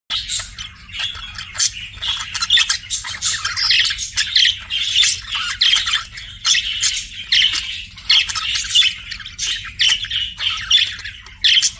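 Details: A flirting budgerigar chatters continuously in a high, scratchy warble of rapid chirps and squawks, with a faint low hum beneath.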